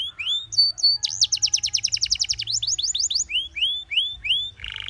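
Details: Singing Gloster canary, meant to coax its companions into song, runs from a short whistle into a fast rolled trill, then slower rising whistles spaced under a second apart, ending in a brief buzzy note; faint low hum beneath.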